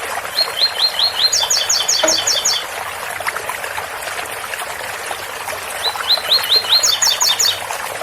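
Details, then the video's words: Double-collared seedeater delivering its special Ouro Fino tui-tui song twice: each phrase opens with evenly spaced upslurred whistles and accelerates into a ringing higher doubled trill, with faint water-spout trickling underneath. "Tui Tui especial coleiro Ouro Fino com som de bica"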